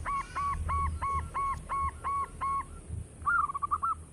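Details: Local zebra dove kept as a lure for other birds: seven evenly spaced hollow coos, then a brief wavering trill. Low rumbling background noise runs throughout.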